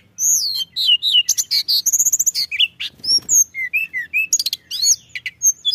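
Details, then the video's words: Lure recording of a pied bushchat in full song. It is a continuous stream of piercing whistles, quick slurred sweeps and buzzy chips, tightly packed with only brief gaps, and clean with no other sounds. "Suara Tledekan Gunung Gacor"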